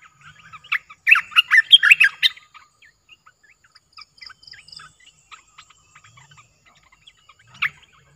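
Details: Caged streak-eared bulbul, a new bird in the keeper's collection, pours out a dense, chattering warble of rapid slurred notes for about a second. Scattered soft ticks and chirps follow, then one more clear note near the end.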